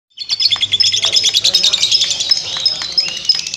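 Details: Lovebird giving a long ngekek song: a dense, fast run of high, sharp chirps and chatter that barely pauses and stays shrill throughout.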